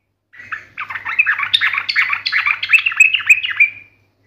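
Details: Trucukan (yellow-vented bulbul) in sharp, combative song: one continuous three-second run of fast warbling notes ending in a few bright, ringing chirps.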